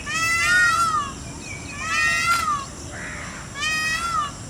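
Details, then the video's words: A displaying, dancing Indian peafowl (peacock) gives three loud, nasal, wailing calls, each under a second and falling at the end, about a second and a half apart, over a faint rural background. "peacock sound with dance"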